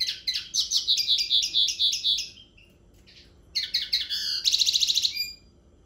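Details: A common linnet sings a series of rhythmic twittering notes repeated about four times a second, pauses, then resumes with chirps and a rapid high trill; clean, quiet recording.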